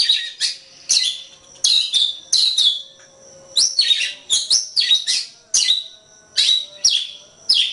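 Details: Song of the Oriental magpie-robin (kacer) used as masteran for training birds: loud slurred whistles and harsh notes in separated bursts, then rapid repeated chirping phrases.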